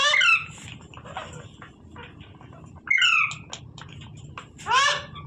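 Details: Parrot producing three main bursts of harsh, harmonic squawking at the start, middle and end. Quieter chattering notes fill the gaps between them.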